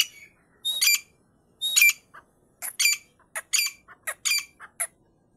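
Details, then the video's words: Female Iranian partridge giving harsh, squawking calls in short bursts, roughly one per second, some doubled, with rich buzzy overtones and uneven spacing; quiet background otherwise. "irani female teetar"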